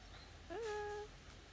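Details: Pet Eleonora cockatoo, a subspecies of the sulphur-crested cockatoo, saying hello: one smooth voiced utterance of about half a second that sweeps up briefly, then holds a steady rich tone, over a quiet background hiss.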